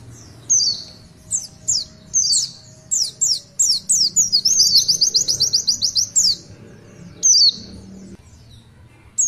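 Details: Scattered high, sharp downslurred chirps from an Oriental white-eye, building into a quick run of rising twitters in the tulitwitwit style, then more isolated squeaky notes with short silences between.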